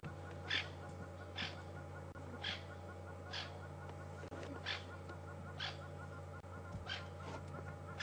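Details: Francolins calling in alarm at Djuma Game Reserve, afternoon of April 20, 2015, probably at a snake or slender mongoose rather than a leopard; a run of about eight clipped harsh bursts roughly one per second, with low engine-like hum beneath.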